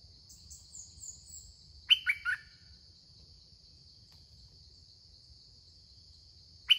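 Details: Caged red-whiskered bulbul used as a decoy to lure wild birds: a brief burst of three quick, bright, falling whistled notes midway, with a few faint high chirps before it, over a steady high-pitched whine and low rumble.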